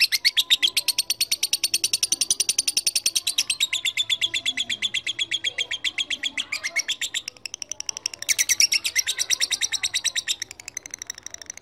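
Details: Lovebird calling a rival, a lure for long, persistent chattering: extended fast rattle of shrill, buzzy chips, slowing and softening briefly around the middle, then bursting out again strongly.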